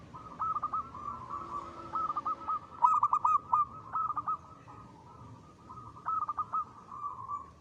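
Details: Local zebra dove cooing in a loud, lively song, used as a lure; a soft purring coo near one kilohertz broken by bursts of rapid stuttering notes, repeated in several phrases.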